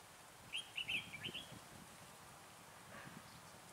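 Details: Lure red-whiskered bulbul at a trapping site in chilly 12 to 15 degree weather gives a rapid chattering run of warbled notes lasting about one second, then only soft background noise.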